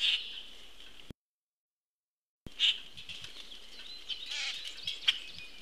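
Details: A juvenile Common Grackle being fed by an attentive parent gives harsh, raspy begging notes in short high bursts over a steady hiss, with a brief break midway; recorded June 22, 2018 at 14:29.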